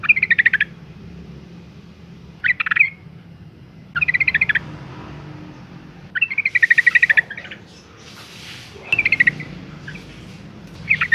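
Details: Female yellow-vented bulbul calls to stir males into singing: short bursts of quick, bubbly chattering notes recurring every two seconds or so over a low hum.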